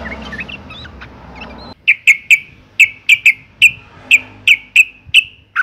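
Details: A breeding-condition female sooty-headed bulbul calls for males, used as a lure to get males singing; brief jumbled twittering and background noise, then a steady series of about ten sharp, clipped chirps.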